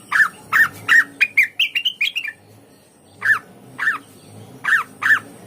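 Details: Blue-winged leafbird. Brisk repeated harsh chirps flow into a rising warbled run, then pause, then resume as paired downslurred chirps, over a soft low hum.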